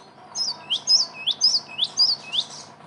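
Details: Cinereous tit (gelatik batu) played as a lure for catching birds. Six evenly paced, piercing two-part whistles, high then swooping lower, ring out over a steady hiss of background noise.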